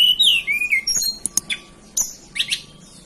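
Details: Song of a hill blue flycatcher native to the Banten and West Java mountains in Indonesia: a bright whistled phrase that drops in steps, followed by short sharp chips and brief twittering notes.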